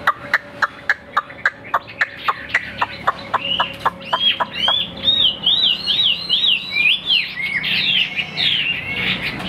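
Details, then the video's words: Caged Chinese hwamei, a tame bird said to sing and fight well, singing on a sunny day: a run of sharp repeated clicks about twice a second, then loud rich whistled phrases sweeping up and down, rising and falling in quick varied loops. "CHIM THUẦN 100% - CHƠI CÁNH ÔM CÓNG HÓT TỐT ĐẤU TỐT"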